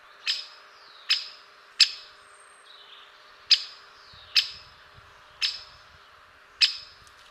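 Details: Great spotted woodpecker giving sharp, explosive single 'kik' notes, seven in all, spaced irregularly about a second apart, each short and clicky over a quiet background.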